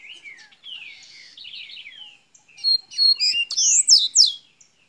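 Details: Minas Gerais double-collared seedeater giving golinha-style song: buzzy falling slurs at first, then loud bright chattered phrases of quick high sweeping notes in the second half.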